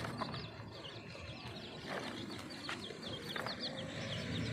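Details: Chicks outdoors with a brown and black hen that is feeding them: a steady stream of thin, high peeps, many overlapping short rising and falling chirps, over a rustling, noisy rural background with occasional soft knocks.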